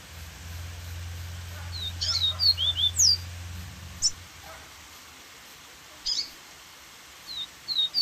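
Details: Group of Double-collared seedeaters giving varied songs beside a waterfall: sharp high chirps and short whistled slurred phrases in bursts with pauses, over steady rushing water and a low hum at the start.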